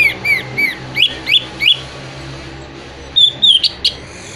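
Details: Orange-headed thrush song meant to prompt moulting or silent birds to sing: a run of bright, down-slurred whistled notes about three per second, a pause, then a few higher sharp chips and whistles.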